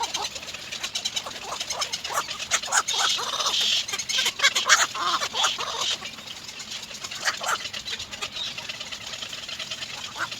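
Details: Little egret chicks in the nest waiting for their mother to go out and find food, keeping up a dry, rapid clicking chatter of several harsh notes a second, rising and falling in bursts.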